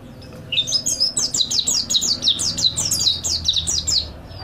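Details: Master song of the mountain white-eye for training caged songbirds: after a moment of quiet, a rapid, unbroken sequence of high, thin descending chirps runs for about four seconds.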